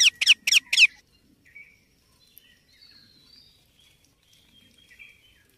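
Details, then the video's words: Indian ringneck parakeet chick giving four rapid, harsh squawks at the start, followed by quiet stretches with faint distant chirps and thin whistles. "Cute Baby Parrot Natural Sounds"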